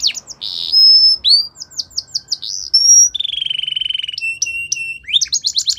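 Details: Belgian canary training song: fast varied phrases of high whistles, rapid trills and buzzy rolls, including a long even roll and repeated bright upslurred notes, with faint low background hum.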